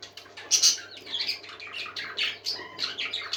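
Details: Happily singing parakeets, a brief lively run of bright chirps, rising and falling squeaky warbles and raspy notes, with one loud burst near the start and a faint low hum underneath.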